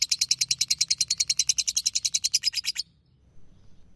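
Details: Lovebird in ngekek style, kept as a master recording for teaching other birds: a fast, even string of piercing chattering notes for nearly three seconds, then it breaks off into quiet.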